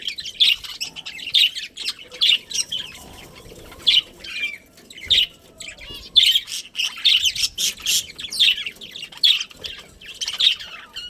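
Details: Budgerigars of a breeding colony chirping busily: dense runs of high, scratchy chirps and short warbles, closely spaced, with brief pauses and quieter chatter behind.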